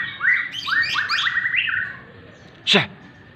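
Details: White-rumped shama in morning sun giving a rapid run of ringing, stepped whistled notes that fade out, followed by one loud hissing shush.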